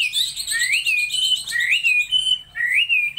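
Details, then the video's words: Laughingthrush singing clear, sweet whistles that rise then level off, three similar phrases separated by short gaps. "Chim Mi hót đỉnh"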